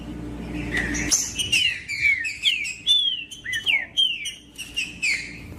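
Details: Green-winged saltator singing, used to warm up and stimulate other saltators to sing: a rapid run of clear whistled notes, mostly sliding downward, opening with a sharp click and a buzzy burst, then about nine slurred phrases over a faint steady hum.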